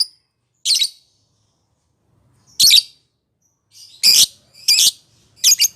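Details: Lovebird sound used to coax a rarely singing lovebird into song: separate harsh, high, raspy squawks, spaced irregularly, some coming in quick pairs toward the end.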